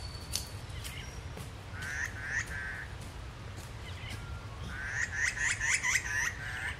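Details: Normally skulking Chestnut-rumped Heathwren sits confiding and still, giving two bursts of harsh, rapid chattering notes, the second longer and louder, over a steady low rumble as a kangaroo thuds nearby amid other calling woodland birds.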